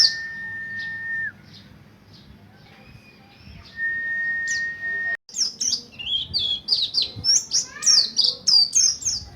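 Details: Buxtoni mountain white-eye learning the rolling ngalas ngerol song as a lure for other white-eyes: a long steady tone first, then a lively run of high, sharply descending chirps in quick succession.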